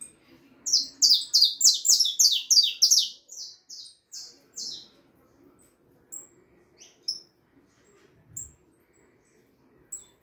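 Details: Young harlequin saffron finch, four and a half months old, singing a fast burst of sharp, downslurred chirps repeated about three per second for two seconds, then sparse high notes with a low background hum.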